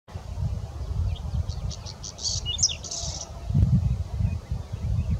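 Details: Whinchat (Saxicola rubetra) song: one short, high, scratchy phrase of quick clipped notes over steady low wind rumble.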